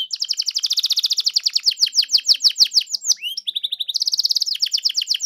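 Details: Canary song played to provoke a canary into singing: rapid rolling trills of steep descending notes, a brief pause with upslurred whistles, then fast high trills again.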